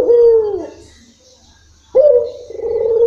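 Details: Local spotted dove singing in a long-rhythm style: two low, soft coo phrases, the first sliding down and the second a steady, slightly wavering hum, with a quiet pause between them.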